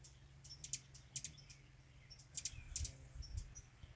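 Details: A Rufous Hummingbird busy at its feeder on San Juan Island gives thin, very high ticking chips in short bursts, with a brief buzzy note near the end, over a steady low hum.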